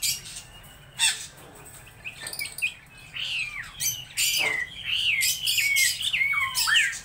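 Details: Laughingthrush singing: a few sharp notes, then a loud run of looping whistled phrases that rise and fall, with rough squawky notes between them.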